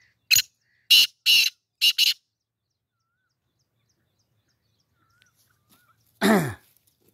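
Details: Black francolin in training for a tournament gives a loud series of four harsh, scraping notes, the last two close together, followed by a single drawn-out rasping note after a silent pause.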